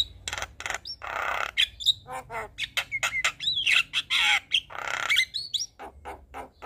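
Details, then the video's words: Javan myna singing energetically: raspy, harsh chatter with noisy bursts, clicking notes and a few whistled warbling phrases, delivered in quick irregular sequences. "Burung Jalak Kebo Gacor Full Isian"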